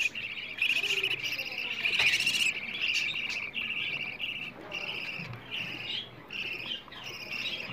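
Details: Budgerigar chicks begging for food, a recording played to stimulate adult budgies to mate, lay eggs and raise more chicks. Raspy, buzzy high notes come in a dense run of short bursts with brief gaps, several chicks calling over one another.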